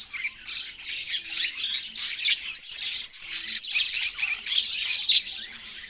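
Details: Chirping budgies giving a continuous rush of sharp, high tweets and squeaky warbles, with a faint low hum in the background.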